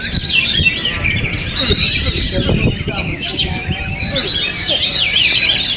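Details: Oriental magpie-robin, a kept bird, singing despite strong wind: fast, high, scratchy twitters and rapid whistled trills repeating several times a second over heavy, rumbling wind noise.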